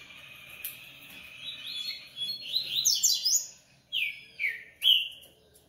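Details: Coleiro in captivity delivering a quick, dense trill of high whistled notes, then three separate loud, slurred whistles at the end.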